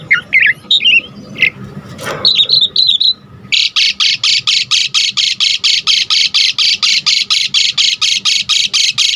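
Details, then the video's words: Asian pied starling in full lively song, used as a lure and tutor for other songbirds; a few scattered chirps and whistles, then a long run of rough buzzy squawks repeated about three times a second. "Jalak Suren GACOR Full Isian"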